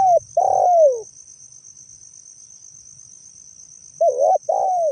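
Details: Spotted dove calling in a recording offered as a lure sound: cut-off coo phrases of soft, low, hooting notes at the start and end, a long quiet gap between them, with a steady high insect-like whine throughout.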